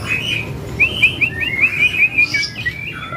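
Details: A caged, settled Javan grey-cheeked bulbul singing strongly pours out a quick run of bright, slurred whistles, about eight notes in three seconds, rising and dipping, over a low background murmur.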